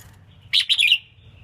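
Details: Female red-whiskered bulbul, selected to stimulate males, singing a brief quick phrase of bright, slurred chirping notes lasting about half a second, over a low steady hum.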